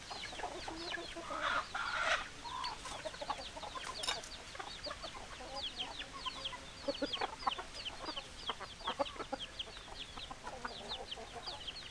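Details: Several chickens make a busy chorus of thin downslurred peeps and brief clucks, with a louder raspy burst early on, then steady overlapping calling to the end.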